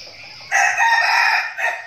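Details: Trained decoy red junglefowl from Bình Phước, Vietnam, crowing once: an abrupt raspy burst sustained for roughly a second and ending in a short, cut-off tail note; background otherwise quiet.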